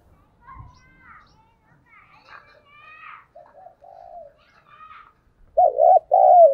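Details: Decoy spotted dove calling to pull in wild doves. Faint chirps and soft coos come first, then two loud, full coos end the passage.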